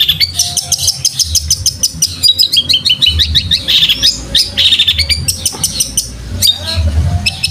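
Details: Long-tailed shrike song for tutoring cage birds, with fighting-sparrow imitations: quick repeated chirps about three per second, mixed with buzzy rattles and slurred whistles over a faint low hum.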